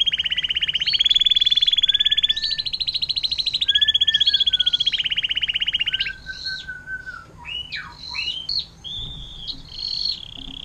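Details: Canary tutor song in 'air mancuran' (fountain water) style for birds such as magpie-robin and long-tailed shrike: six seconds of fast trills at alternating pitches, then varied chirps, slurred whistles and short twittering notes.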